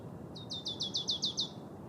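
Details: Marsh tit in Trentino, Italy, in February 2024, giving a quick series of about eight identical high, sharp, down-slurred notes, evenly spaced and brisk, over a steady low rumble of background noise.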